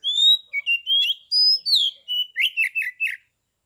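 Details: A kept Oriental magpie-robin in Kebumen, Central Java, whose song is used to provoke other magpie-robins into answering, sings a varied phrase of clear whistles, some rising, some falling, ending in a quick run of buzzy notes.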